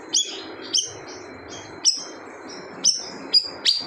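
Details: Siri-siri bird in lively, loud 'gacor' song said to make other birds fall silent: sharp high chirps with quick downward flicks, repeated irregularly about every half second, over a low background hiss.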